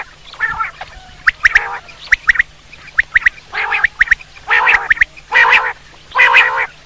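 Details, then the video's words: Quail calls used for hunting: sharp whistled notes near the same pitch, often in quick groups of two or three, alternating with louder harsh, nasal rasping bursts, heard about once a second. "batair hunting quail sound"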